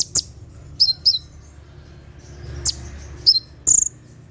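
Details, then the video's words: Sparse night 'tembakan' song of a Brown-throated sunbird (konin), used to train caged birds: a few piercing high notes, paired whistles near the start, and a bright whistle at the end. "SUARA TEMBAKAN KONIN SAAT DIMALAM HARI"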